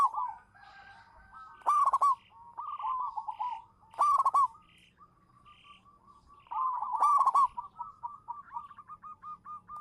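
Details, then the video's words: Manggung song of a local zebra dove used as a champion lure: three loud crackling coo bursts roughly two seconds apart, linked by softer stuttering coo phrases, ending in a fast run of short repeated notes. "suara burung perkutut lokal manggung juara pancingan"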